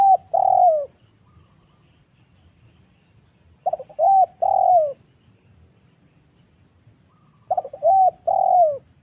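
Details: Wild spotted dove coo used as a trapping lure, repeated about every four seconds: each phrase a few quick clipped notes and two longer mellow coos that bend downward, with quiet low hum between.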